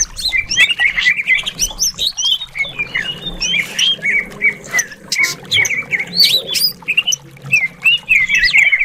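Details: Varied, aggressive-style song of a greater green leafbird kept for song contests: squeaky chirps, short slurred whistles and twittering bursts, irregularly spaced, over a faint low background hum.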